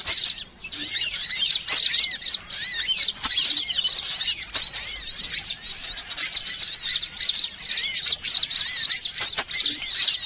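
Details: Lure sound of assorted sunbirds meant to bring birds close: ten seconds of dense, squeaky twittering from several birds, with repeated rising-and-falling whistles and a short gap early on.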